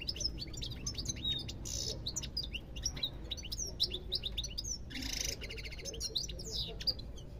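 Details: European goldfinch singing: a fast, continuous twitter of bright high chirps and short trills, with two brief harsh buzzy bursts mid-phrase, over a low steady background hum.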